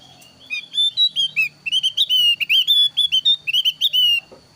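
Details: A thin-browed Javan grey-throated white-eye sings a lively, varied song meant to lure wild birds and tutor captive ones. Fast continuous string of sweet, high whistled notes with quick slurs runs for about four seconds over faint low hum.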